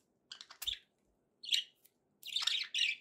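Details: Budgerigar warbling in short, buzzy, scratchy bursts, a rapid chattering run in the middle and a denser rasping phrase at the close.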